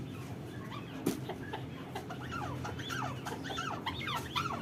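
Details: Arabian partridge recorded on 3 January, giving a rapid series of short, harsh, chuckling notes that rise and fall, packed closely together with a sharp click near the start and a steady low hum underneath.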